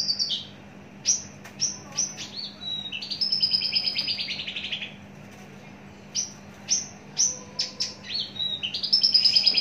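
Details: Kept in a cage for a long time, an adult Javan bush lark gives sharp high chips and then a long buzzy rattling trill. After a pause come more clipped notes and another trill. A low electrical hum continues throughout.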